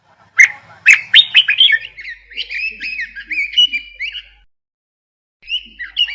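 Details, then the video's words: A few loud, sharp chirps, then a fast twittering warble of whistled notes rising and falling, a short silence, and the warbling starting again. "Birds chirping sound"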